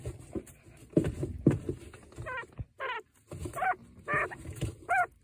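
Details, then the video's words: A broody quail hen sitting on eggs, with one chick hatched, grumbles at a person too close to her nest, giving about five quick bursts of short, nasal notes in the second half after low rustling and thumping. "The Sounds a Broody Quail Makes!"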